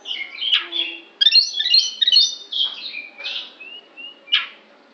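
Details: Unusual sound from an oriental magpie-robin: a harsh rasping burst, then a fast jumble of high chattering and warbled notes, followed by scratchy downslurred calls and a few thin whistles, in a quiet setting.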